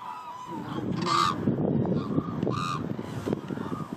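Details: Hooded cranes at Izumi, Japan: loud, harsh honking bugles from several birds, short rising notes about twice a second, with a busy flock chatter and low rumble beneath.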